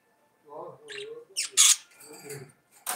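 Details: Budgerigar song, a soft mumbling chatter broken by a loud, harsh, high squawk and further murmured notes, ending in a sudden sharp chirp.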